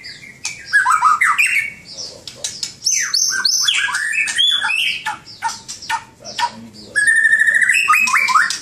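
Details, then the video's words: Master song of a white-rumped shama (murai batu) kept as a songbird: varied whistles, sweeping slurs and sharp chirps delivered rapidly in dense bursts, closing with a steady run of repeated whistled notes. "kicau burung murai batu master"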